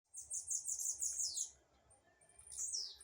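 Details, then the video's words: Blue-black grassquit in a dispute: a rapid run of high, buzzy, chirping notes for about a second and a half, a pause, then a short sharp burst with a descending slur. "tiziu na disputa"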